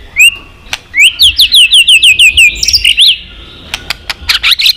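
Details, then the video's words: White-rumped shama twittering song used to provoke another shama to fight-sing: a rising whistle, then about ten fast repeated upswept notes in a steady trill, followed by sharp clicks. "chòe lửa hót líu dụ bổi đấu kích lên lửa hiệu quả.kích chòe lửa hót đấu.kích lửa hót nhiều giọng"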